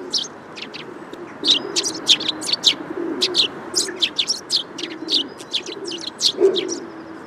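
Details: High, clipped chirps of Eurasian tree sparrow pour out almost continuously after a quieter opening second, several notes per second, with low-pitched cooing underneath.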